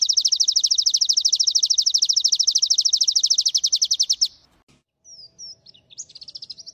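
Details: White-eye (pleci), G12/G16 class bird with strong volume and long 'nembak' delivery: a sustained high rapid trill of four seconds stops abruptly, followed by scattered short whistled slurs.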